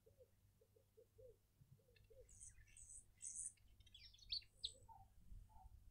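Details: Burchell's coucal calling in a Pretoria suburban garden, South Africa: a run of low hollow notes in a rhythmic bubbling series for about two seconds, followed by higher chirps and trills from other birds.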